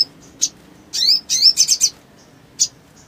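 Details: Little spiderhunter in lively voice, used to rouse other spiderhunters to sing, giving scattered high, sharp chirps and a few quick rising squeaky notes in a loose cluster, with gaps between.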